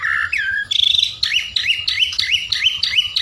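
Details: Loud white-rumped shama singing meant to rile a neighbouring bird: a slurred whistle, a buzzy high burst, then a rhythmic phrase of rising whistled notes repeated about every third of a second.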